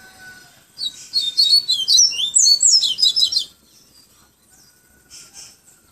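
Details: Singing Yellow-bellied seedeater, Pero Vaz, Salvador, Bahia, in the tui tui viviti flautado style: nearly three seconds of rapid, high, tumbling whistled notes rising and falling, followed by quiet with one faint distant note.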